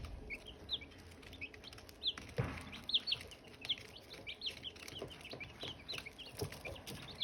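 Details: Silkie chicken chicks among hatching eggs, lively high peeps with clear downward slides, rapid and overlapping, plus a soft knock early on and faint rustling.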